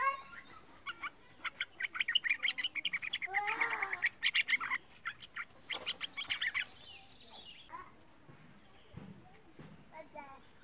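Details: Young yellow-vented bulbul, a pet used to coax other bulbuls into singing, gives a fast run of chattering chirps with a loud harsh burst midway, then the song thins to scattered notes.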